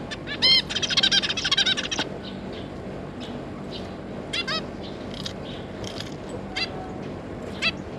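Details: Zebra finch pair and their three juveniles, with a quick run of nasal tet-like notes between one and two seconds, then sparse single honks and short doubled calls, over a constant low background drone.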